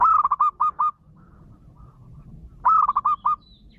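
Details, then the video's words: A wild-caught young local zebra dove sings as a lure to set other zebra doves singing: two quick bursts of soft, bubbling cooing, each a rapid string of five or six mellow coos, with a quiet pause between. "SUARA PANCINGAN MANGGUNG BAKALAN PERKUTUT LOKAL ALAM BIKIN PERKUTUT LAIN IKUTAN MANGGUNG"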